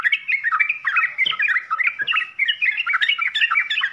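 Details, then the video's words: Trucukan (yellow-vented bulbul) full-isian song: a short burst of rapid, jumbled chattering, with quick up-and-down slurred notes packed closely together. "SUARA TRUCUKAN FULL ISIAN"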